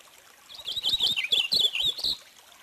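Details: Purple finch song: a rapid, warbling run of short slurred notes rising and falling, lasting about a second and a half, over a faint trickling background.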